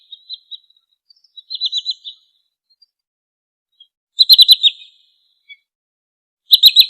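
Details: Sandpiper in Indonesia giving short bursts of rapid, high trilled notes, a brief stuttering series around 1.5 s, then louder clipped trills near 4 and 6.5 seconds, otherwise quiet.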